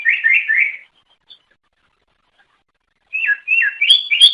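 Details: Greater green leafbird, cucak ijo, singing to lure others of its kind; two short bursts of warbled, whistled phrases around a mid-high pitch separated by over two seconds of silence, the second ending in sharper rising notes.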